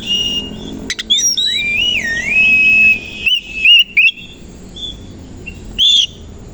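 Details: Kacer koci, or Oriental magpie-robin, singing in the morning with its tail spread; a long warbling whistle that wavers up and down, followed by short sharp notes and quieter gaps.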